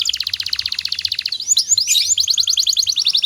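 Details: Canary song used as a master to train other canaries: an even, rapid trill of sharp notes, a quick tangle of slurred whistles, then another fast pulsed trill.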